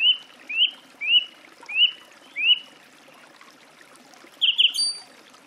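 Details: Song thrush delivering five repeated short whistled notes that rise and then fall. After a pause comes a shrill, chattering phrase with a thin, high, ringing tail.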